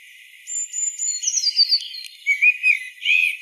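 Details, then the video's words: Common blackbird singing: a long, steady high whistle, then a run of notes stepping downward, ending in lower warbled phrases. Only the high part of the sound is present, with no background noise. "Blackbird song"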